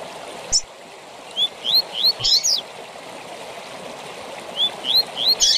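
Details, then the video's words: Training song of the double-collared seedeater in tui tui zel zel fibra style for captive birds: a run of bright upward-sweeping whistles, a quiet gap, then another run, over a continuous stream. "TUI TUI ZEL ZEL DE FIBRA TOP PARA ENCARTE DE COLEIROS E PAPACAPIM"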